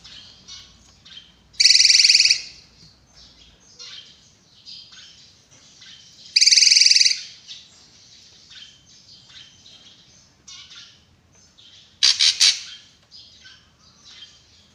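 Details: Sharp-voiced drongo (srigunting) in full song, kept as a tutor for other songbirds: three loud, harsh, buzzy bursts several seconds apart, with faint high chattering notes between them.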